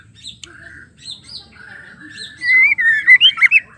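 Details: Female white-rumped shama call meant to make males sing: soft buzzy and whistled notes at first, then a loud burst of rapid, bouncing clear whistles near the end.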